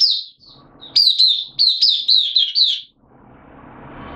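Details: Caged oriental white-eye singing openly as a hobby bird on 8 September 2022, slightly off form; a string of about seven high, downslurred whistled notes in quick succession, then quiet hum.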